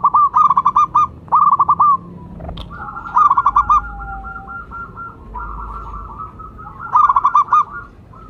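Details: Local zebra dove used as a lure and song prompter. Repeated bursts of fast hooked coos alternate with long drawn notes, and a single sharp click sounds early on.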